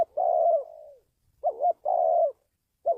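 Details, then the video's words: Spotted dove call played to train a decoy bird and lure wild doves into traps: a long, low, hoarse coo trailing off, then a quick two-part note and another sustained coo, with a new phrase starting at the end. "tiếng chim cu gáy luyện mồi kích bổi,đi bẫy hiệu quả"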